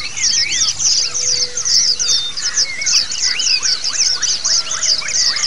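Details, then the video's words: Pleci white-eye song meant to train birds into ngalas and ngerol styles; continuous high chattering twitters mixed with clear rising and falling whistles. "Audio Terapi untuk burung Pleci yang cuma ngeriwik jadi lasrol ( ngalas dan ngerol )"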